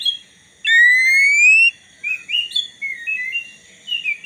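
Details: White-rumped shama, a black-breasted kacer in full song, used to provoke a rival shama into singing: a long clear rising whistle, then short varied whistled phrases and warbles with brief pauses.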